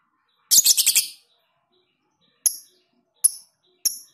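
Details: Lovebird singing a training recording of the long 'ngekek' trill with tight gaps. A dense, high, buzzy burst of rapid pulses lasting under a second, then three separate sharp, high chirps spaced about a second apart.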